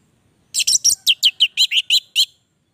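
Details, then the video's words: Orange-headed thrush delivering ten loud, evenly spaced sharp notes, each a short rising-falling chirp, about five per second, in a clean recording. "Anis merah gacor durasi panjang"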